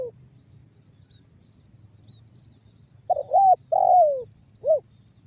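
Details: Spotted dove giving the banggo bocor song, a lure to make other doves call: the tail of one coo, a quiet gap, then a phrase of a broken coo, a long falling coo and a short end note.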